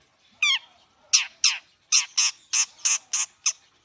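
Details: Long-tailed shrike (cendet) warming up, giving loud harsh rasping notes, about three per second in the latter half, after an opening buzzy falling call.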